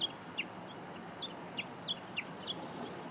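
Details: Japanese bush warbler recorded 26 June 2017 while a falcon perched on a pylon across the river kept other birds hidden; sharp, high, downward-sliding paired notes repeat about every third of a second over a steady background hiss.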